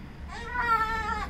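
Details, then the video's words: A female pet yellow-collared macaw hiding in a cabinet makes weird sounds, here one drawn-out, nasal, meow-like call about a second long, slightly rising then steady, over a low indoor hum. "Pet parrot gets cocky while having a conversation with human"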